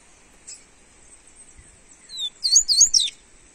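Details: Double-collared seedeater warm-up song in a quiet setting: after near silence, one clear high whistle leads into a fast, tumbling run of sharp, looping notes lasting about a second.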